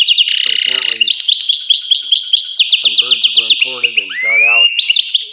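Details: Sustained high twittering song from a European goldfinch: sweeping rolled trills and rapid repeated ticking notes, interspersed with lower nasal chattering notes and a rising whistled slur near the end.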